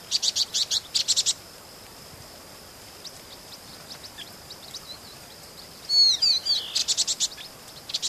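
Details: Vinous-throated parrotbill, a common resident bird that moves in flocks through broadleaf woods and grassland, recorded in Pingtung City, Pingtung County, Taiwan, on 16 March 2014: bursts of rapid high buzzy chips in quick series, with a steady high hiss behind.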